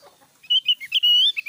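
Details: Javan grey-throated white-eye in loud singing, a short burst of bright high whistled and chirping notes, slurred and rising, lasting about a second with clean background.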